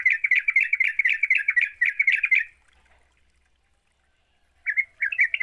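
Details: Lure recording of a Sooty-headed bulbul singing 'gacor': a rapid, chattering string of bright chirps for over two seconds, then nearly two seconds of silence before the chirping resumes.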